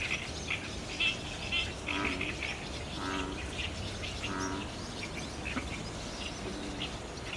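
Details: Roost gathering of barn swallows, overcast evening sky, 30 June 2019, DSLR recording: scattered sharp high chirps from many birds, plus three lower, buzzier harmonic calls spaced about a second apart, over background hum.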